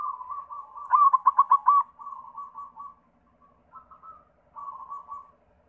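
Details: Zebra dove of the white (perkutut putih) variety, sung as a lure to prompt other doves: one loud burst of quick throbbing coo notes, framed by quieter, rolling cooing before and after.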